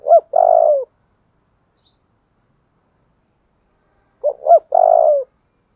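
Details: Spotted dove calling for decoy training: two clear phrases about four seconds apart, each made of two quick upswept notes followed by a long, low, steady coo that drops at the end. A tiny chirp sounds in between.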